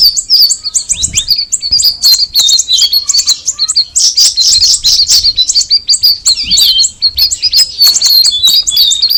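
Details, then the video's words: Sooty-headed bulbul, locally cucak rawis, in a long, busy song of high twittering chirps, whistled slides and sharp ticks, delivered in fast overlapping bursts with a louder, denser stretch midway. "the alluring sound of the cucak rawis bird"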